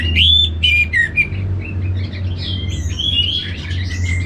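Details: Anis merah from Singaraja, Bali, opens with sharp, ringing whistled notes, then switches to softer varied warbling and rising slurred phrases. A steady low hum runs through the whole recording.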